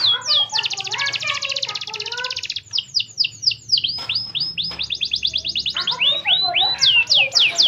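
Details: Canary song used as a lure to prompt other canaries to sing: fast trills of rapid downward-sweeping notes alternating with separate louder slurred chirps, dense and continuous, with a faint low hum beneath.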